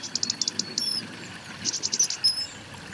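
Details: Common kingfisher calling at the Donge river: two bursts of short, shrill high notes in quick series, about five per burst, with a few thin drawn-out whistles between them over faint background hiss.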